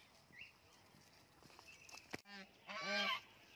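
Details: A talking blue-and-yellow macaw playing in a garden gives a short nasal honk, then one loud, harsh, raspy squawk near the end, after two seconds of quiet background.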